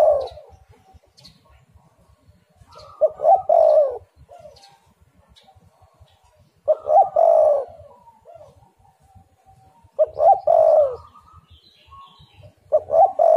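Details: Spotted dove song played as a lure to make other doves start calling: loud, low, rolling cooing phrases of several notes, repeated about every three to four seconds, with quiet gaps and faint low rumbling between.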